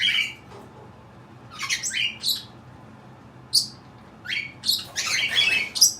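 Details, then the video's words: Cape parrot kept as a pet, producing odd noises: scattered loud raspy screeches and squeaks in uneven clusters separated by pauses. "making some odd sounds"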